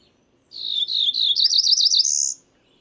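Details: A clear, close Cerulean warbler calling once. Buzzy slurred opening notes speed into a rapid, rising string of wavering notes that ends in a drawn-out high, thin buzz lasting nearly two seconds overall.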